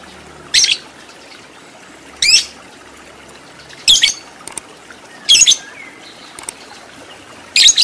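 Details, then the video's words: Lovebird heard in a training recording for long ngekek chattering: five harsh, scratchy, high-pitched squawk bursts about every one and a half seconds, each brief and noisy, with quiet hiss between. "Masteran Lovebird Agar Cepat Menjadi Lovebird Fighter Ngekek Panjang"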